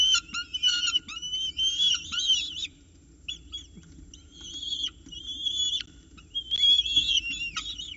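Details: Nest-box peregrine falcon chicks at Orange on the morning of 29 October 2018, at 9:36 am, squabbling over a prey delivery. Sharp whistled squeals with downward flicks arrive in clusters, separated by quieter pauses.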